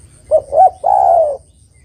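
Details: Spotted dove female calling the male, one complete phrase: two quick hollow coo notes, then a longer sustained coo that slowly slides downward, with a soft low rumble behind.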